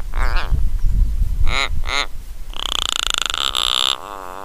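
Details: An Australian little raven, filmed on a trailcam at Mannum, South Australia, gives three short, harsh nasal notes, then a longer grating, creaking call lasting over a second, fluffing its head feathers and throat hackles as it calls. Low rumbling background noise.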